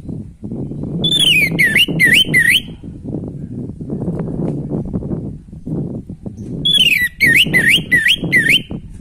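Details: Song of an orange-headed thrush used to stir breeding urge in other kept birds: two bursts of four looping, downslurred whistles each, separated by several seconds of low rumbling noise.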